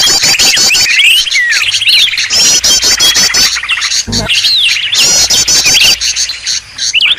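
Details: Green leafbird lure sound in its noisy form: crowded, high-pitched chatter mixed with sweeping upslurred and downslurred whistles, several birds seeming to call at once, with short gaps between busy bursts.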